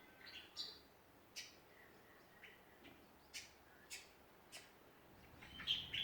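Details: Australian songbirds in a Ballajura, Western Australia backyard: short, high chirps spaced irregularly about once a second, with a brighter warbled phrase near the end over a quiet background.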